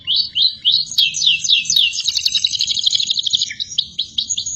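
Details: Canary in energetic song, recorded as a long tutor track for other birds: rising swept whistles followed by a rapid rattling trill and a string of sharp chirps.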